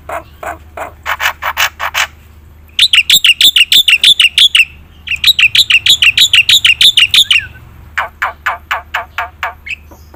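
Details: Steady black-winged myna song used to stir silent birds: a softer run of buzzy notes, then two fast, very regular rattling trills of bright notes with a pause between, and a slower buzzy series to close.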